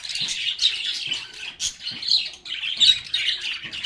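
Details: Lovebirds talking and singing together: rapid, overlapping high chirps in surging waves, broken by brief quieter gaps.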